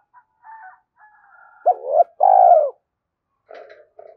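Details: Spotted dove cooing used to provoke another dove to coo. Faint soft notes lead into one loud phrase of a hooked note and a long falling coo, followed by a few weak trailing notes.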